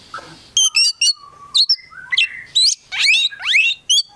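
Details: Kept Oriental magpie-robin, a prospective contest bird, in full, busy song packed with mixed phrases: sharp upward-sweeping whistles, stacked chirps and fast-sliding notes in quick bursts after a soft opening murmur.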